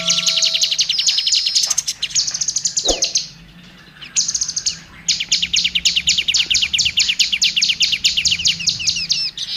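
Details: Kacer, the oriental magpie-robin, singing as a training model for songbirds: long bursts of fast, high, scratchy repeated notes, broken by a short pause midway, then a rapid rhythmic run of clicking phrases.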